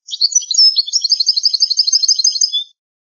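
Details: European goldfinch singing an old-style song, a rapid, jangling run of tinkling, twittering high notes lasting over two seconds, clean with no other sounds.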